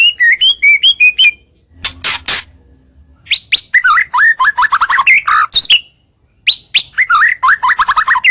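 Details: White-rumped shama lure song to bring rivals closer: bursts of quick varied whistles and chatters, split by a harsh noisy burst and a short silence.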